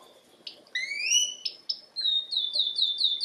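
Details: Canary song of separate sharp notes, then rising slurred whistles and a run of quick repeated downward-sweeping chirps, high and clear.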